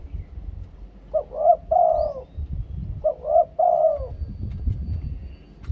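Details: Spotted dove singing in the Thai two-kuk koo-ang style used as a luring song: two phrases, each of short hooked coos followed by a long drawn, falling coo, with low rumbling background noise.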